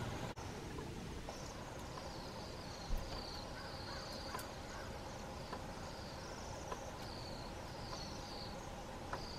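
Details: Bohemian waxwings visiting a crab apple tree on a January morning in Telkwa, British Columbia, Canada; thin, high, buzzy trilled notes repeat from several birds over a steady low rumble of background noise.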